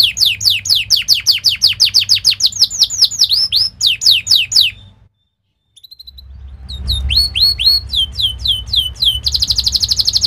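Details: Canary song used to train young canaries, kenari gacor ngerol style: fast repeated descending chirps, a brief silence near five seconds, then more sweeping chips ending in a dense buzzy trill, with low background hum.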